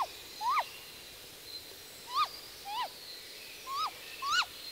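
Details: Female great grey owl calling from the nest: six sharp, rising-falling whistled contact notes, spaced irregularly about every half to one second, each ending in a quick downward slur, over quiet natural background.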